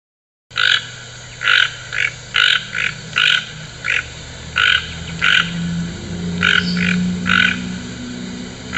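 A toucan gives hoarse, croaking notes in an uneven series, roughly one or two per second, over a low steady hum.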